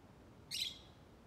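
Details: A lovebird's lone raspy, high chirp, sharp-onset and noisy, lasting roughly a quarter second, then fading into steady faint background noise.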